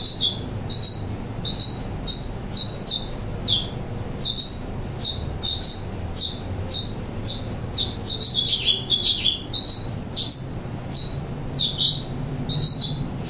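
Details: House finches in San Francisco, summer breeders visiting nectar feeders while they feed; a long run of sharp chirps and warbled phrases, many rising-falling notes repeated roughly twice a second, over a low steady background rumble.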